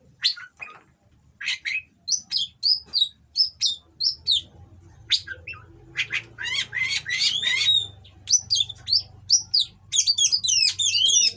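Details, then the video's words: Breeding-condition Oriental magpie-robin from a breeder, singing rough material meant to provoke rivals: short rasping notes give way to a lively run of high whistles, harsh chatters and rapid twittering, sung almost without pause toward the end. "Burung Kacer Kawin Bongkar Materi Kasar Bikin Lawan Langsung Emosi"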